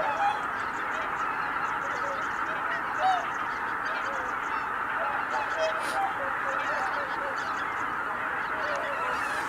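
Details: A flock of Greater white-fronted geese at Kabukuri-numa in January 2019 taking flight together. A broad, continuous gabble of honking comes with occasional nearer high, clipped yelps breaking through.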